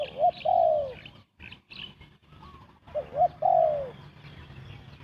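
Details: Spotted dove cooing fast as a lure for bird trapping: two phrases, each two short rising notes and then a longer drawn-out, falling crooo, with a short quiet gap between them.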